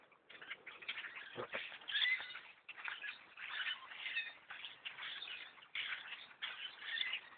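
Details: A huge black bird flock overtaking a bow hunter's tree stand, with loud bursts of overlapping squeaky, creaking chatter rising and falling and a low thump near the start.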